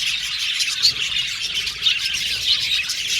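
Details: Budgerigars in an aviary colony chirping together: a dense, continuous chatter of high twittering notes with a few sharper squeaks rising above it.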